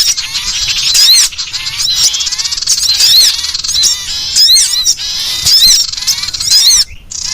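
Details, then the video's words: Threatened collared kingfisher in a lure recording, chattering its harsh 'ngekrek' alarm: a continuous stream of loud, grating, buzzy notes with brief gaps, roughly one burst per second, and no other sounds. "suara pikat burung sirtu ngekrek terancam"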